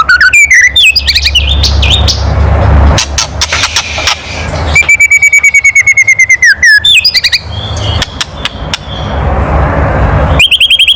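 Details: Loud kretekan from a white-rumped shama, used to provoke other birds: opening rattle bursts, a long steady buzzing trill of rapidly repeated notes, then a final crackling series over background hiss.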